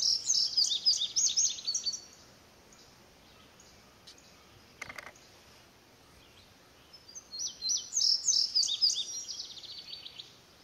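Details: Indigo bunting singing repeatedly, perhaps answering a house wren and other birds nearby: a high, rapid series of sharp paired and sweeping notes lasting about two seconds, a quiet gap with one brief clatter, then the song again.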